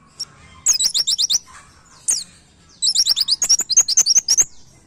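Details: White-eye master song used for training cage birds: rapid series of high, downslurred whistled notes in bursts, separated by short pauses, with a faint low hum behind.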